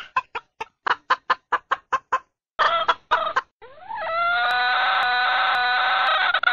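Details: Red junglefowl hen calling a rooster during breeding season: a quick run of about a dozen sharp clucks, a few louder clucks, then a long sustained nasal note rising at the start and held steadily to the end.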